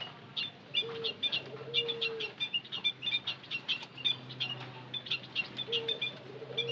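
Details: Continuous high chirping from white-headed munias used as a lure call, short squeaky notes in quick succession, with low hollow coos in the background at the start and end.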